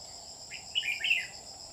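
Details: Lure red-whiskered bulbul used to trap wild birds, 27 July 2019, giving a brief warbling phrase of three clear, slurred whistles set against constant high-pitched insect buzzing.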